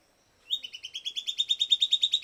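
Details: Silvered antbird singing, a rapid series of whistled notes that opens with a rising note and grows steadily louder.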